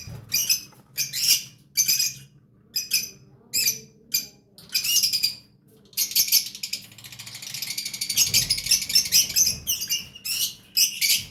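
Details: Lovebird chicks giving harsh, hissy, raspy bursts in rapid irregular pulses, some drawn out into a continuous wheezing buzz, loud and close in a quiet setting.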